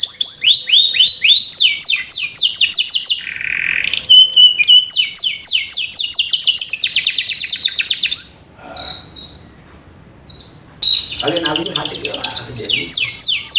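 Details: Lure song of a canary for training young canaries to start singing: long rolling trills of quick descending notes, a buzzy rattle and steady whistle, a near-silent pause with faint soft notes, then bright trilling resumes.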